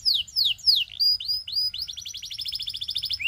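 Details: Canary song of loud downward slurs, then upward-curving whistled notes, ending in a fast rolling trill of many short repeated notes.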